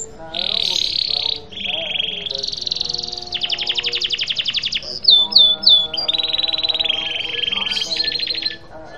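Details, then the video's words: A canary, used as a lure to get canaries that have stopped singing to sing again, sings a long, varied, high-pitched song of rapid trills, rolling phrases, quick buzzy runs and sharp whistled notes. "Kenari Macet Bunyi dan BISU bisa langsung Gacor dan Ngeroll Lagi"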